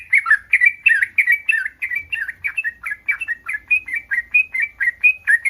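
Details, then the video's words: Mating call of a breeding yellow-vented bulbul, used to make other bulbuls respond: a clear, loud string of bubbly two-part chirps, about three per second, fairly even in pitch throughout. "SUARA BURUNG TRUCUKAN BIRAHI 100% BURUNG TRUCUKAN LAIN AKAN RESPON"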